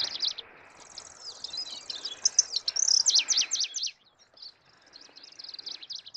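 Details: Middendorff's grasshopper warbler, Locustella ochotensis, a species breeding in Northeast Asia: a rapid series of high, sharp chipping and rattling notes with a faint buzzy trill, fading after four seconds then resuming softly.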